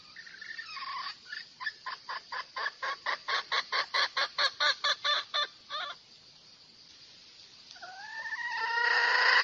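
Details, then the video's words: A red junglefowl gives about sixteen quick, harsh clucking notes at a steady pace, then, after a pause, begins a drawn-out, rising crow; used to lure a male. "tiếng gà rừng dung để bây chim trống"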